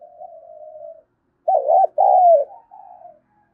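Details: Spotted dove cooing to goad a rival: a soft, drawn-out coo, then one loud phrase of a quavering double note and a long, gently falling coo, ending in another quiet, fading coo.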